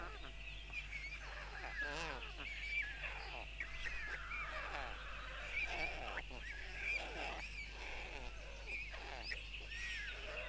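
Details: White storks (Ciconia ciconia) on a nest in Tukums, Latvia, on June 13, 2022, the father feeding four young; wheezy, wavering calls repeat in clusters with a few sharp higher notes, over a faint steady hum.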